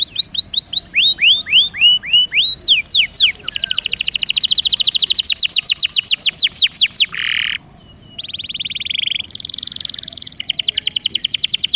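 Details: Canary song used to prompt a reluctant bird into rolling: rapid series of descending whistled sweeps, then a fast dense trill, a brief pause, and buzzy rolled phrases near the end.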